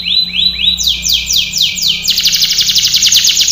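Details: Canary training song with upward-curving whistles, then a series of long falling sweeps, then a dense rapid buzzy trill about four notes per second; low hum in the background.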